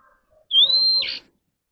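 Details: Oriental magpie-robin singing in captivity for voice training: a single long, pure whistle that rises slightly and holds steady, then breaks into a short harsh, buzzy rasp before stopping.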